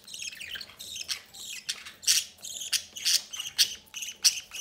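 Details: Captive budgerigar parents feed one of their chicks at the nest door; harsh, buzzy chirps come in short irregular bursts about every half second, high and scratchy.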